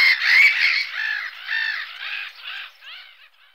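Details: Black-headed gull (Larus ridibundus) giving loud, harsh, nasal squawks in quick succession, about ten rasping cries that gradually weaken and trail off over three and a half seconds.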